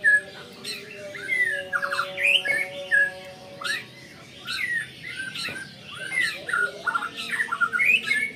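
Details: White-rumped shama kept in a cage, stirred up at the sight of a rival bird, pouring out rapid varied chattering and whistled notes in repeated bursts over a constant background hum.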